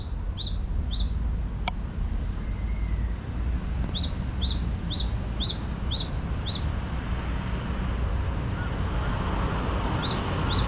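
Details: Wild bird song offered as soothing natural sound: runs of quick, high paired chirps repeated about every half second, pausing, then returning near the end. A sharp click comes early on, and a constant low background rumble runs throughout.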